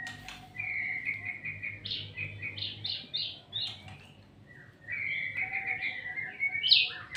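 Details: White-rumped shama singing steadily: a fast chain of clear whistled notes stepping up and down, a short pause, then more rolling whistles and a sharp high note, with a soft background hum.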